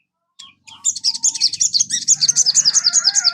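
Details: Sogon song for coaxing a kept sogon into singing: a fast, high, even trill of sharp twittering notes repeated several times a second, with a low hum underneath.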